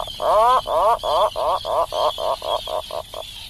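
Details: Atlantic puffin producing a strange rhythmic series of about twelve short, harsh, pulsing grunts, each roughly a quarter second apart, gradually becoming shorter and softer.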